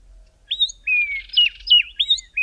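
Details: Two grey tits singing in the early morning in the southern Karoo in midwinter: clear, high whistled notes, each slurred down or bent up and down, about five quick phrases in two seconds with no other sounds.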